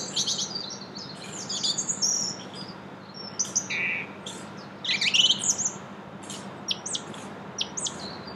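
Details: Song thrush singing in Brussels, Belgium, in April: varied high phrases of sharp notes and short whistles with pauses between, over a low steady hum.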